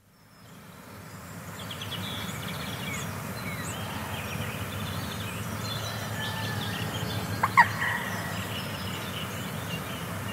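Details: A common moorhen at Eyeworth Pond, New Forest, Hampshire, UK, gives one abrupt, throaty typical croak late in the clip, over a steady background rush and faint chirps from small birds.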